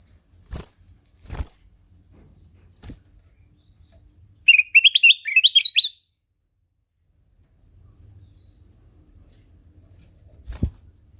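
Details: Single energetic black-naped oriole phrase of roughly eight quick upslurred whistles that rise step by step. Low taps and knocks come before and after, with a faint steady hiss.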